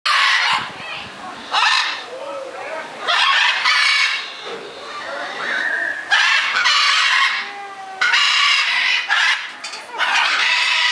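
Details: Macaws at Longleat Safari Adventure Park, England, in August 2011, give loud, harsh, raucous squawks in bursts every one to two seconds, with fainter whistles and chatter from other birds between.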